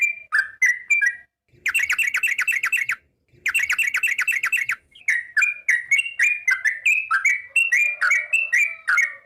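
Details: Sooty-headed bulbul in lively full song: rapid bursts of bubbling, chattering notes between two short pauses, then a steady run of varied fluty phrases rising and falling, repeated about three per second.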